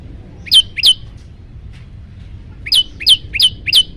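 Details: Yellow-bellied prinia, recorded to train and provoke other birds: two sharp high chirps, then a pause of nearly two seconds, then a quick run of five similar flicked notes.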